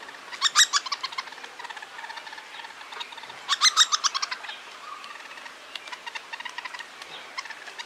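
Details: Fledgling hairy woodpecker being fed by its father in Toronto, two loud bursts of rapid, sharp chattering notes, with fainter quick chips continuing between and after them.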